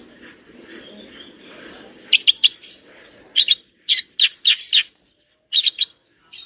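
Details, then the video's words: Long-tailed shrike song with rich mimicked material: after a quiet start with a thin high tone, clusters of sharp scratchy chirps and buzzy notes burst out in short groups separated by brief silences. "Masteran cendet gacor dor isian mewah materi komplit"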